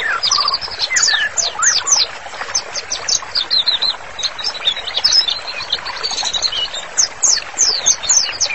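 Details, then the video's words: White-rumped shama singing vigorously on a master recording meant for bird therapy: a dense stream of high, sharp whistles and quick chirps, with a few lower fluting notes early on and a light hiss behind. "MURAI BATU GACOR, MASTERANNYA COCOK BANGET UNTUK TERAPI"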